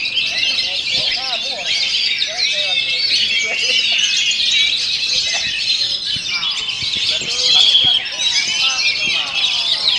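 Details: Oriental magpie-robin (kacer) singing while battered by strong wind: a dense, continuous tumble of high, varied whistles, rattles and rolling phrases, with a clear sustained whistle near the end and some softer lower sounds.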